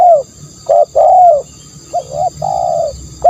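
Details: Spotted dove, used as a decoy sound, giving a few soft hooting coos. A short note is followed by a long gently falling one, then a pause and a pair of rising-falling coos, with steady electronic whine behind.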